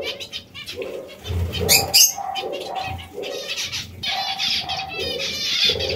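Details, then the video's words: Zebra finches giving short nasal calls that repeat in quick, uneven bursts, with sharp high chips mixed in and low dove-like cooing in the background. "Diamante mandarino | Zebra finches"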